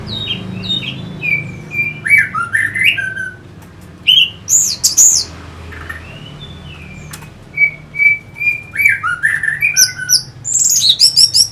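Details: An Orange-headed thrush (Geokichla citrina), recorded as a song stimulus to fire up other birds, sings a rich run of clear whistles, squeaky trills and sharp high notes in quick varied phrases over a faint low hum.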